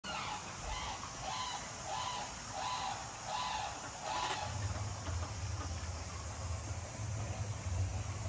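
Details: Scarlet ibis (Eudocimus ruber) at an animal park gives a run of short, nasal, clucking notes about twice a second, then stops; a low steady hum continues underneath.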